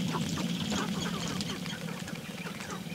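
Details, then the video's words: Sharp-tailed grouse performing their mating dance in the early morning of May 5, 2019, several birds together; a steady low pulsing drone runs throughout, overlaid by scattered short clucking chirps. "Sharp Tailed Grouse Mating Dance"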